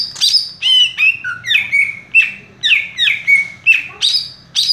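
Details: Greater green leafbird (cucak ijo), a kept bird said to sing fast and tight while perched in one spot: loud, bright whistled phrases, each sliding down in pitch, repeated about twice a second with crisp high accents.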